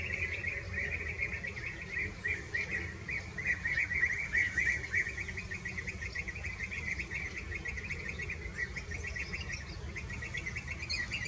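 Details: Fieldfares eating berries in the Eifel, Germany, give dense, rapid chattering calls around two to three kilohertz that run on almost continuously, with low background rumble beneath.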